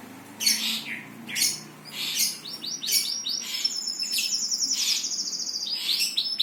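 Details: Birds singing, starting with several separate harsh chip notes about a second apart, then a high thin trill running steadily alongside repeated rolling chirps; faint low hum beneath.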